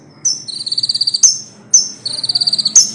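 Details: Common iora singing, used as a model for training songbirds: twice a sharp high note leads into a fast, even trill of about a dozen notes, closed by a bright accented note.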